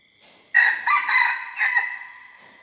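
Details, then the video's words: Young hybrid red junglefowl learning to crow: a loud, harsh crow of about two seconds in four rough segments, the last one trailing down, with faint steady insect-like tones in the background. "#ไก่ป่าลูกผสม #เสียงไก่ป่า #หัดขัน"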